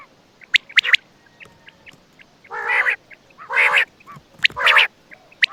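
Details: A quail at night in Attock gives a few sharp clicking notes, then three harsh, buzzy, nasal bursts about a second apart, over a quiet night background.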